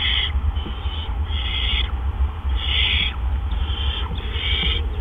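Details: Barn owls at the nest around 8 PM on April 17, 2013, during back-to-back gopher deliveries. Harsh, breathy screeches come roughly every 1.3 seconds, sometimes ending in a downward slur, over a steady low rumble.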